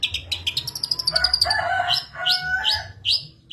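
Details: Long-tailed shrike song meant to trigger other shrikes, full of mimicry including sparrow fighting calls; quick ticking notes speeding into a trill, then lower harsh grating phrases and a few upslurred whistles.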